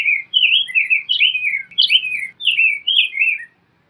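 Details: Rose-breasted grosbeak in song, a variation of its phrase: quick, mellow whistled notes tumbling up and down in a flowing warble that lasts about three and a half seconds, on a quiet background.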